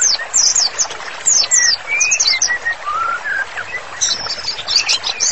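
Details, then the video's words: White-rumped shama, a bird in strong continuous song, on training material: bursts of high jangling chirps separated by clear, drawn-out lower whistles that rise and slur, ending in a fast twittering run. "MURAI BATU GACOR, MASTERANNYA COCOK BANGET UNTUK TERAPI"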